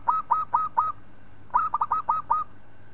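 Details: Local zebra dove singing to train other birds: four spaced, clear coos with slight upward inflections, a gap, then a faster burst of about seven bubbling coos.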